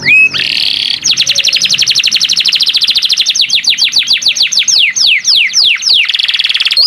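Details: Canary singing gacor, a loud nonstop song: brief buzzy roll, then a long fast trill of downslurred notes slowing into spaced whistled sweeps, ending buzzy.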